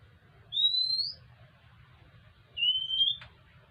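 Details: Two long, pure rising whistles from an Oriental magpie-robin seeking food, the second ending in a brief click, set against a low continuous hum.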